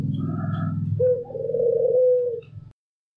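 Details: A single long, rolling coo from a white pelung or local Barbary dove, rising in and holding steady before ending abruptly, preceded by a low rumbling background noise.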